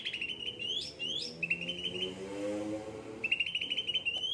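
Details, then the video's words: Cucak ranting kept in captivity singing: quick upslurred whistles and a steady trill, a pause filled with a faint low hum, then renewed rapid trilling. "gacor cucak ranting"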